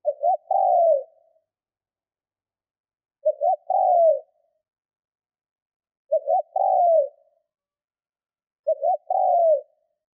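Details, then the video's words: Spotted dove decoy cooing to lure wild birds: four similar phrases, each a brief stammered double note and a short falling coo, repeated roughly every two and a half to three seconds. "Gù hay kích bổi"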